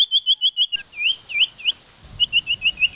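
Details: Common iora lure call used to attract wild birds: fast runs of bright, looping whistled chips, about three per second, broken by a brief pause. A soft background rumble rises in the second half.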